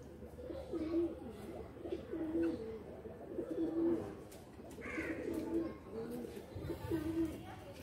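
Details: Inside a loft where pigeons are playing, a steady series of deep, burbling coos repeats about five times in eight seconds, each ending in a held low tone, with a brief higher call midway.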